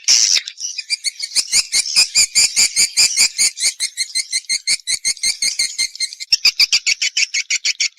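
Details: Swiftlet response call: rapid, regular, rasping pulses, roughly three every second, forming a long, steady chattering run of high buzzy notes.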